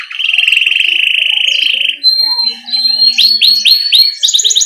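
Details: Canary in rolling 'ngerol' song for training young birds: a long steady buzzy trill, then a sustained whistle, then rising and falling whistled notes repeated quickly, closing with a high rapid trill.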